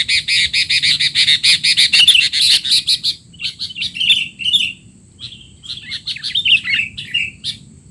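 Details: Rapid run of harsh, buzzy chirps from a sooty-headed bulbul in excited 'teler' mode, a training sound for young bulbuls, then looser squeaky whistled phrases with pauses, over a faint constant high tone.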